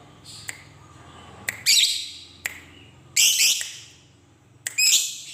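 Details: Lovebird giving loud, harsh, buzzy screeches, each about half a second long, spaced one to two seconds apart, with brief clicks between them and a low hum beneath.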